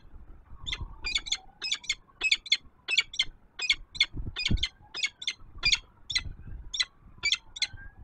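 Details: Peregrine falcon female at her Warsaw nest ledge, Poland, 06:54 on 19 September 2024, vocalising as another bird passes overhead; a rapid run of some twenty grating, rasping notes, several in quick pairs, with a city siren rising and falling beneath.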